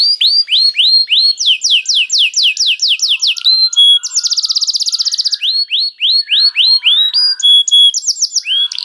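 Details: Canary song used as bait to get other canaries singing: rapid repeated downswept notes, then a fast buzzy trill, then more descending whistled phrases, all high-pitched and loud.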